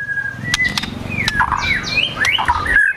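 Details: White-rumped shama singing agitatedly (gacor emosi) with besetan and imitated sogon and kunti phrases: short varied whistles, rising and falling slurs and a few sharp clicks over a steady background rustle.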